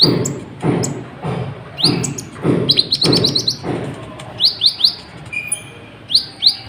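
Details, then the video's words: Sunbird (kolibri ninja) singing non-stop, played to provoke other birds into singing: rapid high thin chirps and short rising sweeps in quick bursts, with regular low dull thumps in the background. "KOLIBRI NINJA EMOSI NGGA MAU DIAM , BIKIN BURUNGMU JADI IKUT BUNYI"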